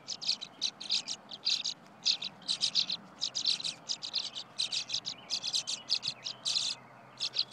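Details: Tree swallow young begging as the parents feed them: rapid high, buzzy chittering bursts in quick succession, about three each second, with short gaps between clusters.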